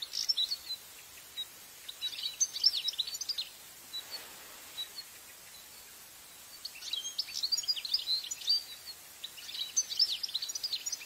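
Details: Wild, free-living European goldfinch in Italy, recorded with a parabolic microphone: faint, high tinkling twitters in short bursts, separated by a quiet gap, over a steady background hiss.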